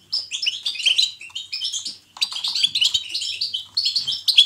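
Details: European goldfinch song of the 'betbeta' type, for encouraging a goldfinch to sing: two long runs of quick tinkling chirps and buzzy trills, split by a short silent gap after two seconds.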